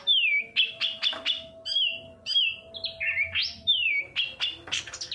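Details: Long-tailed shrike lure recording to get lazy shrikes singing: clear descending whistles alternate with short sharp chips and twanging slurs, delivered about twice per second.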